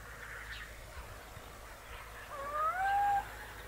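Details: Little owl in Hortobágy National Park, Hungary, recorded in 2015: one clear, rising then level whistled call near the end, with faint earlier notes over quiet background hiss.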